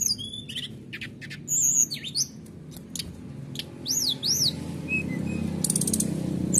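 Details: Canary song meant to provoke rival birds: quick chips and trills, then paired rising-falling whistled notes, with a steady low background hum.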